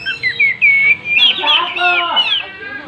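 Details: Oriental magpie-robin singing with its tail fanned: smooth, fluted whistles followed by a busy tangle of warbled notes.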